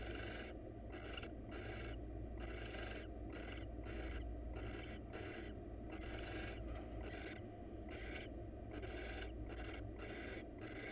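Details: At a wild barn owl nest box where the male brings the female a mouse, a quick series of rasping, snore-like hisses pulses on and off at an uneven fast pace, with a low steady hum beneath.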